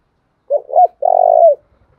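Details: Spotted dove acting as a decoy to stir wild doves into cooing; one low phrase of a brief coo, a rising-falling note and a long sustained throaty coo.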